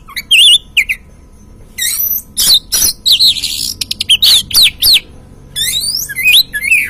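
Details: Untrained Oriental magpie-robin used as a lure to provoke a caged bird to sing: loud, varied whistled phrases with wavering and slurred notes, broken by harsh squawks and sharp broadband bursts, in a small indoor space.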